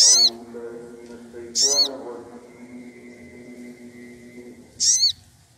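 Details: Lure recording of an excited sogon calling a rival: loud, shrill squealing notes in bursts about every one and a half to three seconds, over a steady low humming drone.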